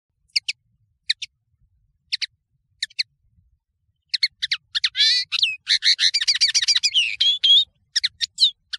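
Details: European serin, called Nino in Algeria and Kamacho in Morocco, singing on a clear tutor recording for training birds: scattered high thin double notes, then a fast, buzzy, jingling trill of rapid high squeaks from about four to eight seconds.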